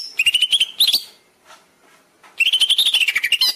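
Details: A greater green leafbird sings two quick bursts of bright, chattering high notes, about four per second, separated by a brief pause.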